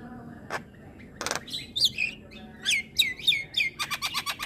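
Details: Javan myna singing in the morning, two isolated harsh bursts, then a string of short downslurred whistles, finishing with quick clicking rattles.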